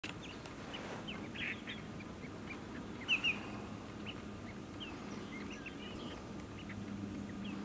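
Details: In Canada, a Lesser Yellowlegs gives a quick pair of clear, whistled notes over a steady background murmur and scattered faint chirps from other birds.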